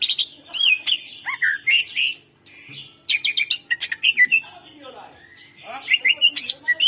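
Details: Greater green leafbird song meant to coax quiet birds into singing: a rich, fast run of whistled slurs, chirps and clicks, rising and falling, broken by a short pause midway, with a faint low hum behind.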